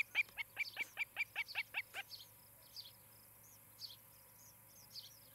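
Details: Osprey at a Montana nest near Charlo, captured by a nest camera in July 2018 around evening: a fast string of about ten sharp, high chirps over two seconds, then sparse softer calls and a background insect hum.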